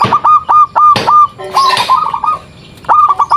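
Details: Local zebra dove giving a lure call to get other zebra doves answering. Clear, evenly pitched staccato coo notes come in quick runs, pause, then resume, with a few rough scrapes in between.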